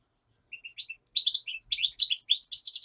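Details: Goldfinch of the black-headed form singing by day: a few spaced, clear chirps that quickly build into a fast, continuous, tinkling twitter climbing higher in pitch; a common nightingale sings in the background.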